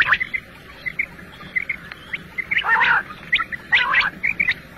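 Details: Lone male batair, or quail, heard in a morning and night hunting recording: thin chirps at first, then two bursts of dense rasping, crackling notes near the middle and end, over steady low hiss.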